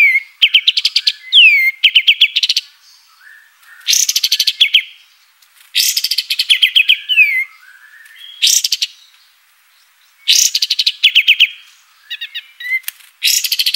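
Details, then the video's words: Scarlet-headed flowerpecker song from a clear tutoring compilation for training cage birds: bursts of rapid, high, ticking chips about a second long, alternating with quieter gaps and a few thin downslurred whistles, repeated through the stretch. "Kapas Tembak Isian Masteran"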